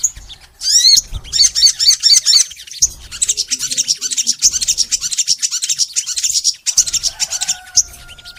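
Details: Crimson sunbird in full, sustained song, recorded to lure sunbirds into singing: rapid repeated high zigzag notes, then a long dense chatter of thin chips, with a faint lower steady tone near the end.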